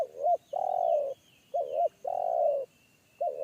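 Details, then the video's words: Forest spotted dove calling in the deep, bass single-kuk style. A short trembling two-part note runs into a long, resonant held coo, and the pattern repeats twice with the next phrase starting. Soft high whistling calls sound in the distance. "PIKAT AJARAN T4KUT MENDENGAR SUARA TEKUKUR INI‼️SUARA BESAR NGEBASS"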